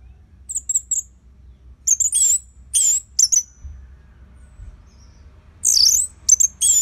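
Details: Orange-headed thrush singing as a training model for other birds: varied very high notes, some thin trills, some slurred squeaky whistles, delivered in irregular bursts with brief silences and low hum beneath.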